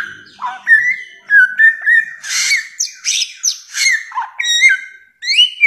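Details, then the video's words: Bare-throated whistler (samyong), endemic to Nusa Tenggara, in a long training recording of its many-phrased song: loud, clear whistled notes and slurs, some rising and falling sharply, mixed with rapid bright chattering bursts, about ten phrases in quick succession. "masteran samyong 1001 suara durasi panjang"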